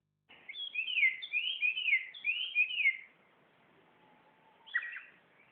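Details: Wild bird singing, a quick run of high, twisting whistled notes for about three seconds, then a pause and a short rising chirp, against a quiet background.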